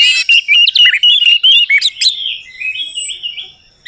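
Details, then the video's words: Lure of orange-headed thrush song for a bird that has gone quiet: a fast series of short chirped and whistled notes, then a long thin falling whistle over softer warbling that fades away. "PANCINGAN TERBAIK TERAMPUH UNTUK BURUNG ANIS MERAH MACET BUNYI, PASTI LANGSUNG NYAUT"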